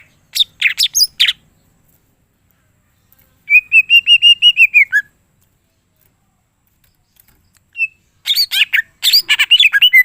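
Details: Greater green leafbird performing its full mimicry repertoire. A few sharp chirps, a sustained rapid whistled trill for about a second and a half that ends on a falling note, then a dense run of high twittering.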